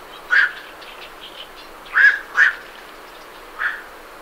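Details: Night herons calling as they leave the roost, close to the recorder: short harsh squawks, one alone, then a pair close together, then a softer single one, over a faint steady hiss.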